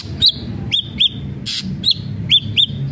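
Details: Actively singing ashy drongo, a lure recording to prompt others to sing, gives pairs of clear upslurred whistles with a short tail, separated by a single harsh noisy burst.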